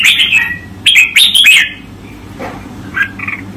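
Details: Red-whiskered bulbul master song for training, 2024: a whistled phrase, then three quick loud bright notes in a row, followed by softer scattered chirps and quieter twitters against low steady hum.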